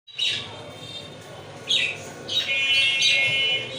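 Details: Lovebird giving shrill, high-pitched chirps: a brief burst at the start, then clustered squeaky notes from the middle onward that merge into a steadier, strident chatter over a faint low hum.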